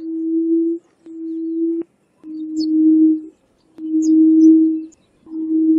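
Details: Yellow-legged Buttonquail giving a harsh, somewhat whistle-like call of low, steady hooting notes about a second long, repeated at roughly one-and-a-half-second intervals, with faint high chirps from another bird between notes.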